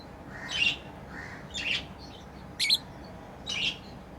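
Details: Lovebirds kept as pets, playing, make four harsh, buzzy chirps roughly once a second, each a short rasping burst, with a softer lower squeak in between.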